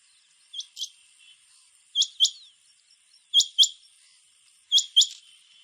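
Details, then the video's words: Male rain quail (Coturnix coromandelica) calling on Divar Island, Goa, in September 2017: sharp, high, metallic double notes, 'which-which', repeated about every 1.4 seconds in a quiet setting. "Rain Quail (Coturnix coromandelica) - Males calling"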